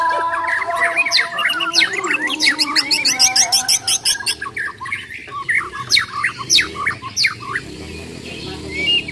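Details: Borneo white-rumped shama in combat song, a quick rattling trill of crisp repeated notes followed by sharp downward-slurred whistles spaced roughly half a second apart.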